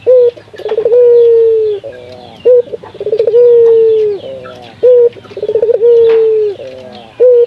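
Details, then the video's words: Lure recording of a local barbary dove to spur other doves to sing: repeated phrases, each a clipped note, a fast rattling stutter and a drawn-out falling coo, about one phrase every two and a half seconds. "Pancingan burung puter gacor, melatih burung puter lokal agar cepat gacor"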